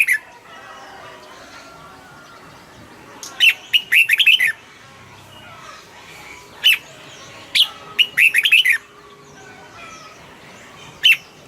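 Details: Caged red-whiskered bulbul giving irregular clusters of sharp, chirpy whistled notes and short rolling phrases, separated by quiet gaps of a second or more, over low background noise.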